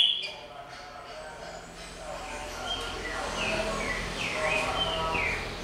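Green-winged saltator giving clear, arched whistled notes that rise and fall, strongest in the second half, over a noisy background with faint voices.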